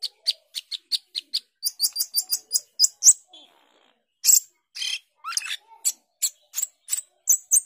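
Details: Asian glossy starling, a mimic of other birds, in energetic 'gacor teler' song: quick repeated high ticks and chips, a brief pause, then harsh bursts and sharp thin whistles.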